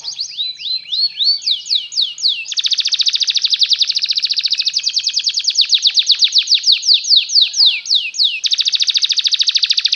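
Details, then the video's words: Long canary song for luring canaries to learn singing: slurred falling whistles give way to extended, very rapid rolling trills. The trills are broken by short runs of swept notes and stay loud and even throughout. "LONG CANARY SOUND"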